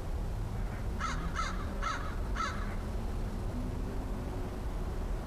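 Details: Four hoarse, evenly spaced caws from a cautious-sounding crow, the last crow friend of the year, recorded on 13 October 2013; the calls come early, then a low steady rumble continues with faint lower sounds.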